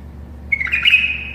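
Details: Singing tame bulbul teaching other bulbuls to sing, one short warbled burst running into a long level whistle, with a soft steady hum behind.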